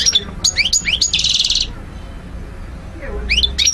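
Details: European goldfinch song used as tutoring for birds: a few clear rising chirps, a harsh buzzy trill, a quiet pause, then fresh chirps starting again.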